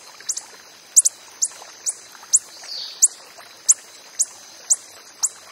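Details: In the wild, a coppery-headed emerald hummingbird repeats short, bright, very high ticks about every half second, occasionally doubled, with a soft brief rushing sound midway and steady faint hiss behind.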